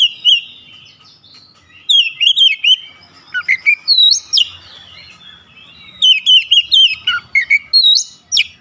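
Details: Oriental magpie-robin singing with its beak wide open: loud bursts of sharp, whistled notes that slur up and down, delivered in rapid runs with short pauses between phrases, over a quiet low background.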